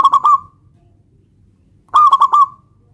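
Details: Zebra dove of local stock singing to lure a rival into replying: two quick rolling coo phrases of three or four notes each, nearly two seconds apart.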